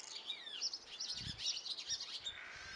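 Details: High, thin chirps and short sweeping squeaks pour from a brood of nine young Great tits in a nest box in Belford, Northumberland, with a few soft low bumps in the background.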